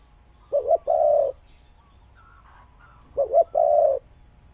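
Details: Spotted dove kept as a decoy sings two mellow phrases, a rapid double note and a sustained low coo, separated by a pause with faint distant chirps.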